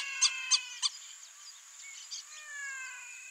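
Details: Brazilian teal calling: three loud, clear whistled notes rich in overtones, spaced about a third of a second apart, then fainter scattered notes, over a steady high insect drone.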